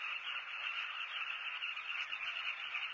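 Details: Many southern carmine bee-eaters calling together at a breeding colony in Zambia's South Luangwa National Park, recorded from a hide; a thick, steady wash of trilled, rolling calls.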